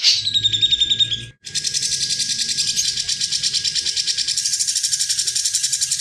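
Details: Grey-cheeked bulbul in ngebren song, clear and vigorous, recorded to tutor contest birds: a brief whistled phrase, a short break, then a dense, buzzy rattle of rapid pulses running on steadily over a low hum.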